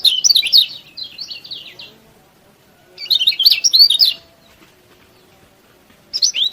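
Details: Yellow-bellied prinia singing hard to rouse other prinias: fast, high, buzzy warbled phrases of one to two seconds, repeated after quiet gaps, with a new phrase beginning at the end.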